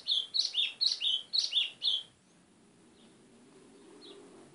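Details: White-throated seedeater singing a fast series of about six bright, high, paired whistled notes over two seconds, then falling silent with only a faint distant chirp and low background hum.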